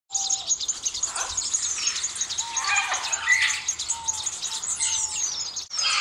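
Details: Southern red bishop: a dense, busy chorus of high sizzling chirps and buzzy twitters from several birds. Short low whistled notes are scattered through it.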